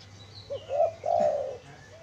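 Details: Spotted dove, a lure bird for wild doves, gives one soft short coo followed by a longer, steady hooting coo, with faint thin whistles of other birds behind.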